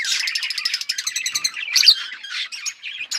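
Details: Australian parrots chirping: a fast series of clicking, buzzy pulses followed by scattered squeaks and warbled notes.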